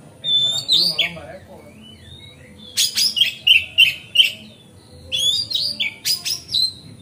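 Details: Oriental magpie-robin in lively lure song intended to excite other magpie-robins: slurred whistles, then a run of clipped, evenly repeated high notes and a final burst of scratchy chatter.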